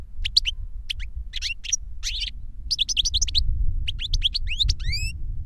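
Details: Two European goldfinches singing reclamo, a master bird and a novice that learned the song from it via CD. Dense, fast twittering phrases with rising sweeping notes at the end, steady low background noise.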